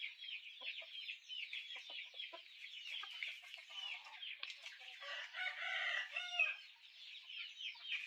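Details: Chickens peeping together: a constant wash of high, quick peeps from many birds, joined by some louder, harsher trilled notes past the midpoint and faint clicks beneath.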